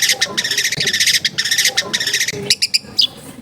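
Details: Long-tailed shrike giving a full, mimicry-filled song at a home in a crowded neighbourhood: loud harsh buzzy chattering bursts in quick succession, then a few clear high piping notes.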